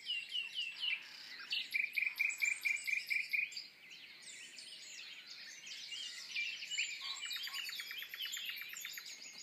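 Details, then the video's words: An unseen common nightingale sings at Woods Mill, a rich, varied song with a rapid run of sharp repeated notes, set against a busy dawn chorus of other birds and insects. "Nightingale and Dawn Chorus"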